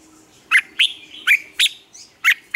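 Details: Red-whiskered bulbul trained to sing in the morning gives a series of short, sharp chirps, about six evenly spaced notes, each a quick bright up-and-down whistle.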